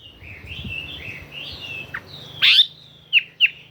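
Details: Chinese hwamei singing in forest style: soft warbled whistles, then a loud sharp note and two short bright calls.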